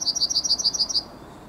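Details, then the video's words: Part of a Yellowhammer's morning song, 9 May 2021: eight quick, sharp, high-pitched notes repeated evenly, then fading out without the usual long closing note. "Trznadel i jego poranny śpiew."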